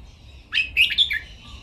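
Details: Red-whiskered bulbul in a cage singing a training song: one quick, bright phrase of three or four slurred whistled notes that jump up and then drop, lasting under a second, on a quiet background.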